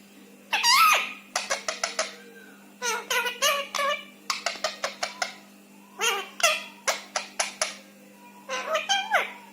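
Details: Indian ringneck parakeet, a rescued pet bird kept indoors, talking in Hindi: bursts of rapid, parrot-like syllables in groups of several quick notes, with short pauses between phrases, in a small room.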